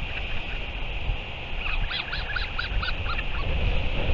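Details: Northern royal albatross chick Manaaki and a parent, recorded 08 07 2023, giving a quick run of short, nasal, honking calls over a constant low wind rumble.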